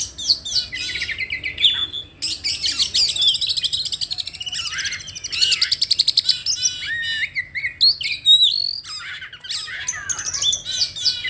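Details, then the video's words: Oriental magpie-robin (kacer) pours out a loud, varied song of sweet whistles, rapid chattering trills and buzzy notes in bursts with brief pauses, used to provoke other birds into singing; a faint low hum underneath. "PANCINGAN KACER JAWARA !!! SEKALI PANCING LANGSUNG COOR"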